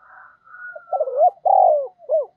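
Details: Decoy spotted dove calling: a soft thin whistle-like lead-in, then stuttering coos, a long strong hoarse coo and a final short falling note.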